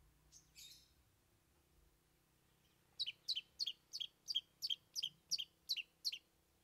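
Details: Long-tailed shrike singing imitated phrases as a trained bird: a brief high chirp, a pause, then about ten crisp two-part notes repeated rapidly and evenly for three seconds.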